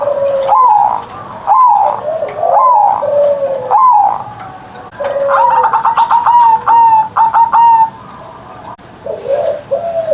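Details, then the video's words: Kept zebra dove singing in the morning with a big 'ngerot' voice: low rising coos answered by a string of clipped, ringing higher notes, then another coo at the end. "Perkutut Manggung Gacor Suara Besar"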